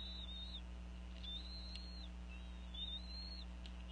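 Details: Female bald eagle vocalizing over a fish during the eaglets' feeding, Northeast Florida nest, around 4:40 pm, 2014: three long, thin, high whistles, slightly arched and falling at the end, over a constant low hum.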